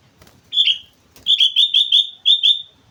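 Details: Energetic sooty-headed bulbul song recorded at Mount Slamet: a short whistled note, then a fast run of about seven ringing whistles in quick succession, with a faint low hum in the background.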